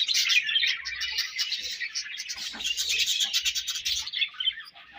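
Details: Budgerigars feeding and exchanging food, chattering in a dense, continuous stream of fast warbling chirps and scratchy twitters, high-pitched and overlapping, with rapid repeated notes throughout.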